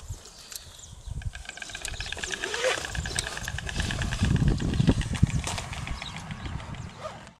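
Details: White stork bill-clattering: a dry, rapid wooden rattle of fast regular clicks building up and fading out, over low rumbling outdoor background noise.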